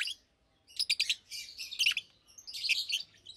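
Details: Two caged Fischer's lovebirds, about two years old, chirping during the day: three rough, squeaky phrases of high chirps after a short silence, with faint low background noise.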